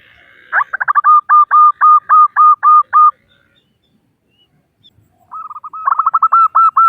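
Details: Female local zebra dove calling to males, used as a lure to set males singing: two bursts of rapid, evenly spaced hooked notes, about ten then about eight, separated by two seconds of silence.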